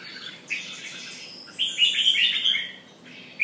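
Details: Singing jambul, a red-whiskered bulbul, pumping: a soft note, then a loud cluster of quick warbled chirps in the middle of the phrase, ending with a single sharp note.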